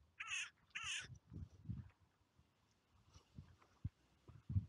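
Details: Carrion crows on a clifftop seafront in the UK, wild birds gathering to be fed by a familiar person; two loud harsh caws in quick succession, then low thumps and faint rustling.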